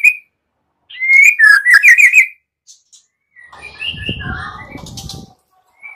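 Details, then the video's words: White-rumped shama singing in the morning as a lure to make shamas sing: a run of rapid whistled, warbling notes, then quieter scratchy phrases with a faint low rumble. "PANCINGAN MURAI PAGI HARI GACOR FULL KRETEK"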